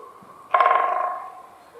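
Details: A woodpecker in a spring forest drums on a dry tree to attract its relatives: a single burst of rapid knocks that rings on the wood and fades over about three quarters of a second.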